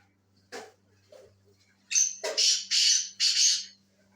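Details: Black francolin (Sindhi tetar) giving a series of four loud, harsh, rasping notes in quick succession after two fainter scratchy sounds, with a low steady hum underneath.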